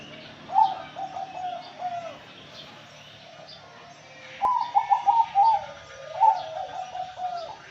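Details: Male zebra dove singing energetically: two bursts of rapid stuttering trilled coos around 0.6 and 4.4 seconds, each a quick run of rolling notes ending in a drawn-out falling coo, with faint higher chirps of other small birds behind.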